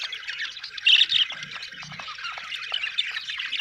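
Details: Budgerigar group chatter, a steady mix of warbles and short chirps, peaking in a louder squawky burst about one second in.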